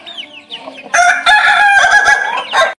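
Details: Ayam ketawa, a laughing-chicken breed, gives a loud crow after soft lead-in notes. The crow breaks into several stuttered segments and ends in a short final burst.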